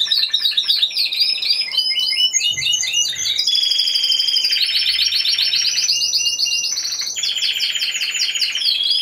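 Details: Timbrado Español canary at a November 2015 singing contest, category C2 individual: a long varied performance of fast trills, metallic rolls and ringing high notes, shifting between tours every second or so, loud and continuous.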